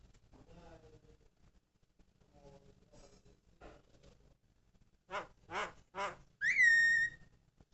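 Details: Javan myna song: faint low squawky notes at first, then three loud harsh rasping bursts about half a second apart, ending in a bright, rising, sustained whistle.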